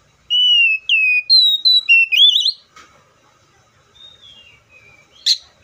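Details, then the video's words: An oriental magpie-robin whistles one full phrase of sliding notes and a wavering rising end, then softer scattered notes and a brief sharp click. "THE BIRD COPSYCHUS SAUCARIS VOICES MUCH LONG LIKE IN NATURE!"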